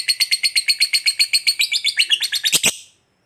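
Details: Lovebird of the fighter type giving its long chatter called ngekek, used to make other lovebirds respond: a fast, even series of buzzy, high chattering notes, about four per second, ending in two harsh, broad bursts and then silence.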